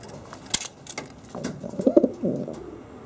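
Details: Homing pigeons at Bensheim give a rolling, guttural coo of several pulsed low notes in the middle of the recording, preceded by sharp clicks and knocks, with a faint background hum.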